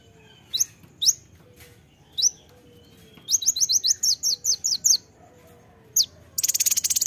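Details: Sharp, high, scattered chips lead into a quick run of piercing notes from a purple-throated sunbird (kolibri ninja) singing for a tutor recording, ending in a loud rustling burst like fluttering wings.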